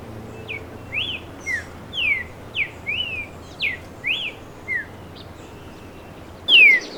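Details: Streaked saltator song: a series of about ten clear, slurred whistled notes, some rising and some falling, each under half a second and spaced roughly every half second, ending with a louder, longer descending whistle.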